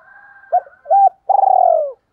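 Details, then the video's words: Spotted dove cooing, used to lure and stir up birds: two short, hollow, low coos, then a longer, drawn-out, slightly descending coo with a buzzy, rolling texture, and a final note cut off at the end. The background is quiet. "tiếng cu gáy kích bổi nhanh nổi kích bổi hiệu quả nhất 2023"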